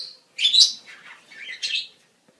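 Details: A short budgerigar phrase from the mating season: a squeaky rising note sliding into a grating, buzzy chatter and a final harsh chirp.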